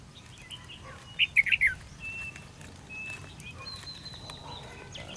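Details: Red-whiskered bulbul during trapping with a fighting decoy, 13 February 2016; a quick burst of four bright, descending whistled notes, followed by fainter thin whistles and scattered calls of other birds.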